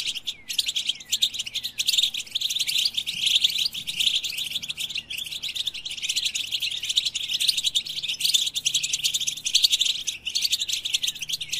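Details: Extended European goldfinch song, a continuous high twitter of chirps, slurred notes and buzzy trills, with a few short pauses scattered through the phrase.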